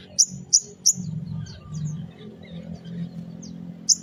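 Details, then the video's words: Spiderhunter calling in the morning, used to lure small birds: a few sharp, high chirps, three close together and one later, over a low background hum. "Sogon Pastol Gacor di Pagi Hari Untuk Pancingan Suara Pikat Burung Kecil Agar Emosi Nyaut Bunyi"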